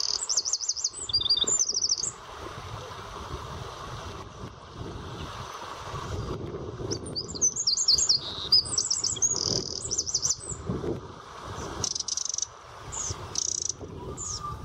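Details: A Eurasian wren in dense scrub and thorny hedges at the Miño estuary gives bursts of rapid, very high, ticking and trilled notes in short phrases of about two seconds each, against a low background rumble.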